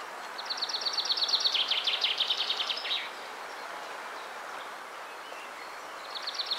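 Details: Common chaffinch song: an accelerating series of sharp notes sliding downward into a terminal flourish, roughly two and a half seconds long, with the start of another phrase at the end over steady outdoor noise.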